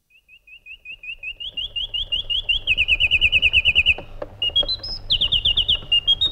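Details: Iraqi bulbul singing a long run of quick, repeated whistled notes that climbs in steps, then a faster rolling trill and a few higher slurred notes, over a steady low hum.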